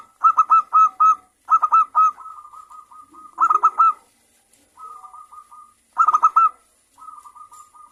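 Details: Local zebra doves answering each other, used to stimulate a bird into song: clear runs of three to four sharp ringing coos, each followed by a softer, even rolling trill at the same pitch.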